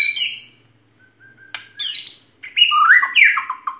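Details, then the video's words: White-rumped shama song of short varied phrases: a high chirp, then soft low piping, then a loud burst of descending slurred whistles. "SUARA BURUNG MURAI BATU GACOR 2021"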